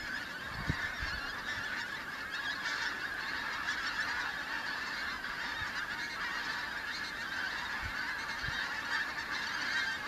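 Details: Autumn migrant pink-footed geese arriving in the Kelvin Valley, North Glasgow, 25 September 2021; many birds calling at once, a steady wash of high honking and yapping notes with occasional low knocks.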